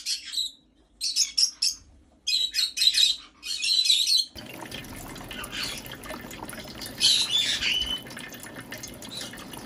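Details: Pet white-bellied caique in Japan, bathing in a large water bath on its third day of using it, gives a run of harsh, scratchy squawk bursts, then splashing and running water take over with one more squawk.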